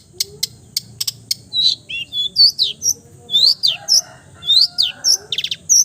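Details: Long-tailed shrike performing its full mimicked repertoire: crisp high clicks, then varied slurred whistles, downward sweeps and twittering trills borrowed from other birds, delivered in quick succession.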